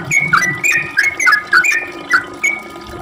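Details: Sooty-headed bulbul in its long ropel song, used as a lure to make others reply: brief burst of separate, loud whistled notes, some sliding downward, spaced a fraction of a second apart.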